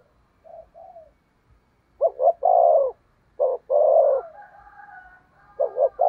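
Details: Spotted dove used as a lure for wild doves, delivering loud coo phrases of a quick doubled note and a drawn-out burring coo, with fainter coos and a thin higher note in the background.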